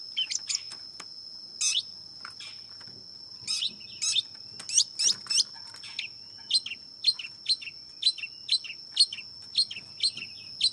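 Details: Long-tailed shrike singing: harsh, scratchy broadband chirps in short bursts, some doubled, repeated irregularly and then more evenly about every half second toward the end, over a steady high whine.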